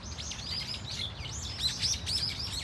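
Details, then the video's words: Brown-eared Bulbuls, a flock at Dunsan Grand Park, South Korea: quick arched, whistled high notes tumbling over one another in a short busy burst. "직박구리 무리 다양한 울음소리 Brown-eared Bulbul sound of crying"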